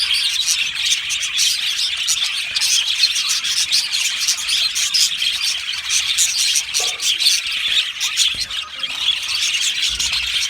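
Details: Australian budgerigar colony in an aviary singing and chirping: steady high chatter from many birds for the whole stretch, with a few louder individual chirps near the end.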